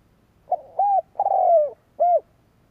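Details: Spotted dove kept as a decoy to provoke rivals, delivering a single mellow four-note coo phrase whose third note stretches out and sinks in pitch, against near silence.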